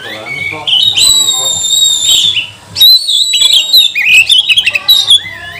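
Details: Oriental magpie-robin (kacer) song used as a lure (pancingan) to provoke other magpie-robins into singing, spreading tails and showing agitation; loud, long sustained whistles with bright overtones, then a burst of rapid varied chattering phrases.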